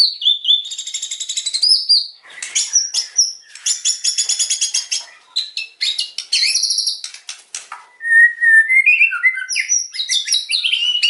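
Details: White-rumped shama singing a harsh, forceful song: rapid buzzy rattling trills alternate with sharp clicks and loud whistles, and a lower rising and falling whistled phrase comes near the end.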